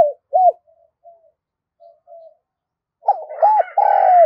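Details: Spotted dove cooing repeatedly, its voice carrying around the neighbourhood. Scattered short soft notes lead into a full phrase of gurgling arched notes and a long falling coo. A harsher higher sound overlaps the end.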